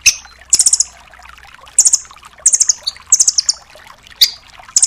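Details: Song of a velvet-fronted nuthatch ('rambatan doraemon') for training other songbirds. Brief, high bursts of three to five quick notes recur roughly every second, mixed with sharp chips.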